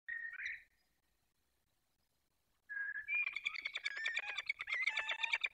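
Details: ['Wild pair of peregrine falcons at their nest in the Barycz Valley, Poland, 28 February 2023, courting and mating. A short harsh note is followed by a pause, then a rapid, intense chattering run of grating notes that rises to a frenzy.']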